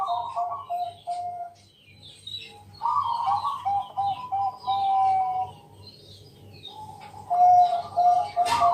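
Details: Zebra dove of the Bangkok type, recorded at night as a lure for other doves: repeated gentle coo phrases, each a burry start running into a string of short clear coos, over a faint low throbbing hum and scattered chirps.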